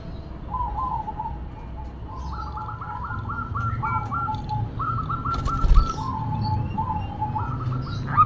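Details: Local female zebra dove cooing noisily. Several soft, rolling, trilled coo phrases repeat at a moderate level against a low rumbling background, with a brief fluttering or rustling noise in the middle.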